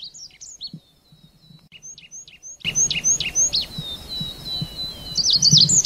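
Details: Red avadavat giving high, thin twittering notes with sharp upslurred and downslurred chips and a few short whistled slides, quieter at first, then louder and busier over a hissy background.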